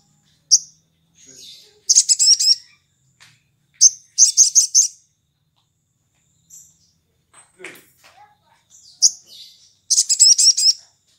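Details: Morning ngalas-style song of a sooty-headed bulbul used to lure other bulbuls into singing; three dense bursts of rapid, high, scratchy chattering notes about two to five seconds apart, with faint soft sounds between.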